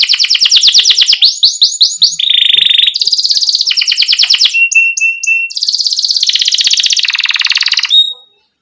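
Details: Lively canary song with pauses, played so young canaries start singing: sharp chirp series, a low buzzy trill, rapid high rattles, clear whistled notes, then more rolling trills before ending abruptly.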